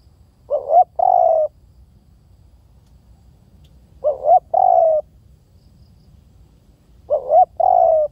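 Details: Three spotted dove phrases about three seconds apart, each two short upward-inflected coos then a longer, slightly descending croo, delivered clearly over faint low noise.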